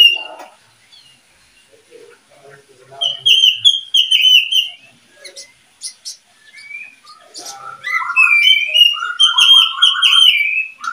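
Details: Breeding pair of oriental magpie-robins, the keeper's second pair, singing loud clear whistled phrases that slide and warble high, then lower rapid trilled runs near the end, with quiet pauses between bursts.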